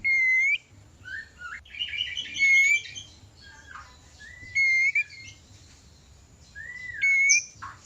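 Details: White-rumped shama mating song from a caged bird, used to stir breeding condition in a reluctant shama: loud, clear whistled notes sliding up and down, some sharp upswept slurs, and a buzzy rattling phrase in the middle, in a quiet setting.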